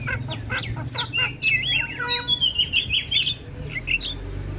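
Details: Javan myna song for training other starlings, bird nodding throughout: warbled, wavering whistles and fluid trills running together, broken by a few clicks, over a steady low hum.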